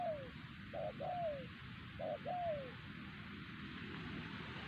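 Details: Wild spotted dove at Siosar, caught by trappers using a decoy, giving two paired phrases of a short hoot and a longer coo gliding down in pitch, then going quiet amid faint low background noise.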